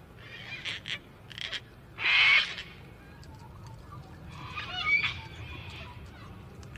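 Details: Gang-gang cockatoo, a species of the forests and hills of Australia, giving harsh, raspy calls: several short scratchy notes, then a louder grating screech near two seconds and another rasping call later, against low background rumble.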